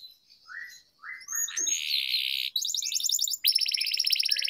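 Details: Canary singing-training recording: sparse soft whistled notes open, then a loud buzzy sustained roll, followed by two fast, even, rattling trills of crisp repeated notes.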